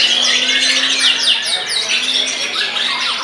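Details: White-rumped shama after its molt, singing in a frenzied, possessed style that overpowers rivals: a dense, unbroken stream of high whistles, chirps and quick down-slurred notes, with a steady low hum underneath.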